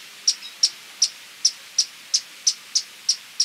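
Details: Violet-crowned woodnymph calling with short, piercing high chips, ten notes at slightly uneven intervals of about a third of a second, with no other clear sounds.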